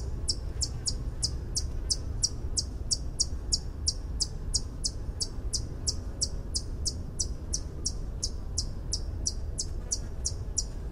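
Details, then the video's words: A White-eared Hummingbird sings a long, steady series of high, metallic tink notes, about three a second, over a low background rumble. "Song of the White eared Hummingbird (Canto del orecchiuto bianco Uccello di ronzio)"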